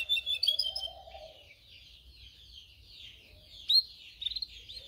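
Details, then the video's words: Canary song recorded for training canaries to sing: high warbling phrases with quick chirps at the start, then a softer gliding run and a sharp bright note near the end, over low bubbling notes. "Canary training 0.25 Hour canario canary song"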